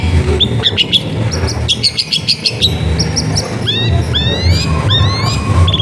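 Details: Long-tailed shrike's lively song with sharp 'shots', recorded in a densely populated neighbourhood to lure non-singing shrikes. Dense chirps give way to repeated upswept whistled notes, with steady low-pitched noise underneath.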